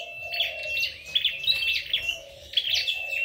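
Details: Red-headed flowerpecker (chim sâu đầu đỏ) singing in a singing contest: high, thin, rapid chirping twitters in short bursts. A lower wavering tone runs beneath.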